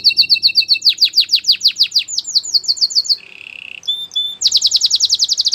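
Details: White canary performing a training song: fast high trill, then a run of descending whistled sweeps, a low buzzy roll, brief pure whistles and a bright, rapid closing trill.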